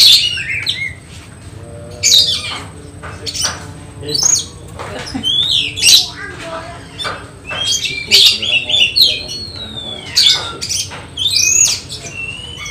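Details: Oriental magpie-robin (kacer) tested for mental readiness ahead of a songbird contest: sharp whistled notes and buzzy bursts in separated phrases, with faint background voices and hum.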